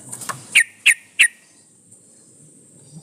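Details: Yellow-vented bulbul calling toward a rival, used as a lure for other bulbuls: three sharp, evenly spaced chip notes about a third of a second apart, followed by quiet.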